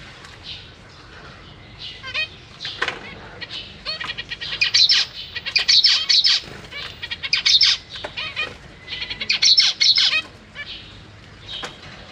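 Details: Zebra finch babies being fed by their parents in a cage, with juveniles nearby; loud, insistent high-pitched begging chatter in repeated rapid bursts, pulsing on and off, plus a few nasal harmonic calls.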